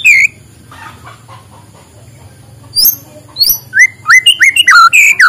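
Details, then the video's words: White-rumped shama morning song intended to stimulate lazy birds: a few high sharp whistles, then a burst of loud, varied whistled notes that rise and fall rapidly. "suara muraibatu di pagi hari, untuk pancingan muraibatu malas bunyi"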